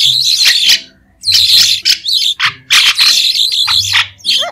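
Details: White-shouldered starling song, recorded without background noise: harsh, buzzy bursts of chatter in dense phrases separated by short pauses, with a few clear whistled notes dropping in pitch near the end.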